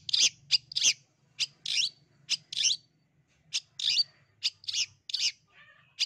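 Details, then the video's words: Long-tailed shrike of the East Java type, a bird in full song used to prompt reluctant birds to start singing: harsh, scratchy bursts in short phrases separated by brief pauses, with a faint low hum beneath. "PENAKHLUK MALAS BUNYI CENDET JATIM GACOR. suaranya dijamin terAmpuh Bikin Ikutan BUNYI"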